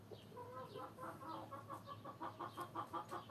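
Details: Hens clucking together in a busy overlapping chorus of short, nasal, rapidly repeated notes that grows more rhythmic toward the end, with a steady low background hum.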